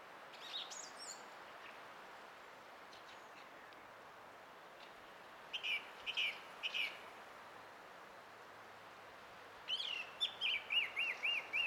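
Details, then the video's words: Singing song thrush, 20 April 2016. After quiet faint notes comes a group of five sharp repeated notes, then a fast series of about six looping, whistled notes, all high-pitched against a soft hiss. "Kaunis ääni linnulla - Laulurastas"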